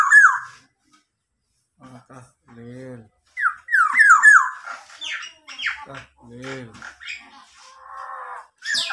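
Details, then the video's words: Tame local Black-naped oriole gives loud, clear whistled sweeps, rising and falling like a police siren, repeated in short bursts, with a man's voice speaking between them. "kepodang lokal berbunyi mobil polisi"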